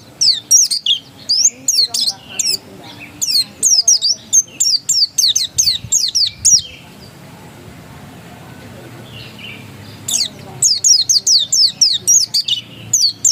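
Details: Long ngotot-style song from a pleci dakun white-eye: about seven seconds of rapid, high, down-slurred chirps at a fast pace, a roughly three-second silence, then the insistent chirping resumes just as quickly.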